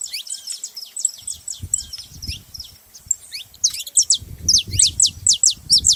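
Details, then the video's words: Saffron finches chirping: rapid, high, downward-slurred notes in lively bursts, growing louder toward the end, over soft low background noise. "Canarinhos fazendo barulho"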